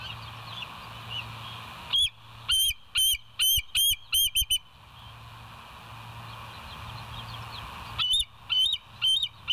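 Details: Bald eagle at West End, live nest camera, 28 August 2023, 7 a.m.: a burst of seven or eight high, piping chirps, then a pause of steady hiss, then three or four more shrill notes.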